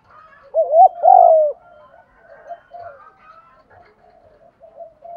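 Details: A spotted dove used to excite caged newly caught doves gives a loud coo, a wavering double note then a sustained note. It is followed by soft, distant cooing from other doves for several seconds.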